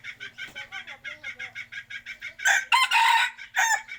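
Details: Chicken clucking in a steady run of short pulses, roughly two per second, then breaking into a loud, hoarse crow with several strained bursts near the end.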